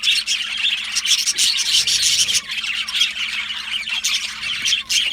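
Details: Australian budgie colony in an aviary, a loud bustling chorus of chirps and scratchy warbles, short bright squeaks standing out, a faint steady hum beneath.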